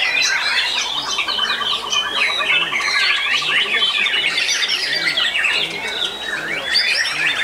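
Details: White-rumped shamas competing in a singing contest in Ngawi, Indonesia, where the featured bird took second place: busy overlapping whistled phrases, with a rapid evenly repeated note series running for several seconds beneath them.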